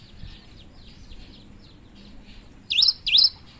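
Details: Cinereous tit in loud form, giving two sharp rising-and-falling whistled notes near the end after a quiet opening with faint chirps.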